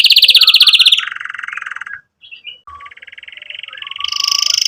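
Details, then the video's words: Canary singing to stimulate young birds to learn song and to revive silent canaries: a loud fast trill dropping into a lower roll, a brief gap, then soft trills building into a bright high rattle. "Kenari Gacor Cuit Cuit EMOSI, Perangsang Kenari Paud Belajar Bunyi dan Terapi Kenari Macet Bunyi"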